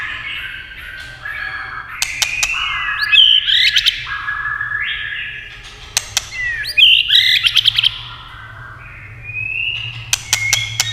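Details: White-rumped shama, urged to sing by tail-tapping, delivers varied whistled phrases with upward slides and quick trills, separated by bursts of sharp clacking taps.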